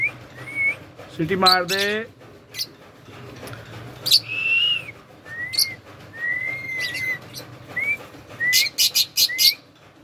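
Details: A pet Rose-ringed (Indian ringneck) parakeet talks, mixing a brief speech-like phrase such as "me too" with clear whistled notes and sharp, high squawks, and ends in a quick burst of harsh chatter.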